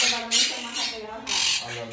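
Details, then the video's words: A parrot, described as singing, gives harsh, raspy squawks in two broad bursts over two seconds, with a hoarse, speech-like quality to the notes. "el loro que canta"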